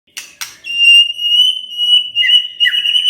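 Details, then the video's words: White-rumped shama provoked into answering, singing nonstop: two sharp clicks, then one long, steady, clear whistle held for over two seconds, ending in overlapping lower whistled notes. "tidak nyampe 3 menit murai TERPANCING emosinya, nyaut GACOR✅ shama bird"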